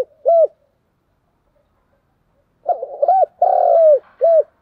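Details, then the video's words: Spotted dove's 'thúc gù' challenge coo: a lone arched hoot, a pause, then a burbling lead-in, another looped note, a long vibrating falling coo and a final short arched coo. No other sounds. "cu gáy thúc gù// Cu gù đấu sung nhất"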